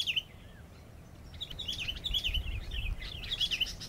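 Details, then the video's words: Sooty-headed bulbul, a flocking resident of reedbeds, scrub, village gardens and open woodland, singing short bubbling whistled phrases around 3–4k, repeated in quick bursts over a steady low background rumble. "Chim bông lau mồi. chim líu.tíu liu hót. นกปรอดหัวสีเขม่า"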